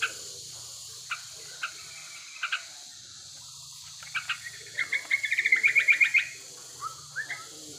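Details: Lure recording of a wild male sooty-headed bulbul in breeding condition: sparse single notes, then a rapid chattering run of about a dozen sharp notes, followed by a few short rising whistles over low background rumble.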